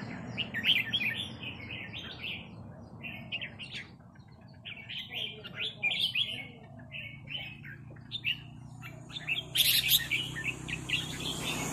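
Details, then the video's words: Red-whiskered bulbul rik calls answering a resident territorial bird: short whistled and chirped phrases repeated every second or two, with pauses, then a harsh burst near the end. A constant low drone sits beneath. "นกกรงหัวจุกร้องริกตอบโต้กันมันๆ โดนนกเจ้าถิ่นรับน้องจัดหนัก"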